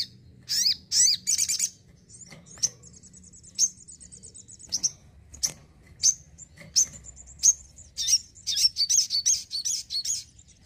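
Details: A house-kept sogon songbird sings loud, high chirps and sharp notes in quick bursts, with a rapid rattling trill in the middle and a low hum behind it.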